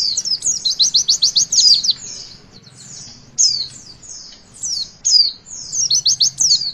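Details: Javan white-eye song in the witwit style, used to get young birds singing: high, thin, rapid trills of sharply rising and falling notes, each burst lasting about a second, separated by short pauses and softer slurred whistles.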